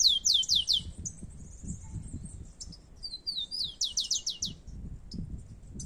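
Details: Outdoors, two rufous-collared sparrows compete. Loud quick downslurred whistled notes open, followed by softer scattered chips, then another run of four or five bright descending notes, with low background rumble.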